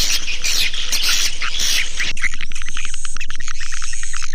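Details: Lure call for drawing in swiftlets. Opens with two seconds of rough, hissing noise, then turns into quick, bright chirps over a steady tick of about four beats per second.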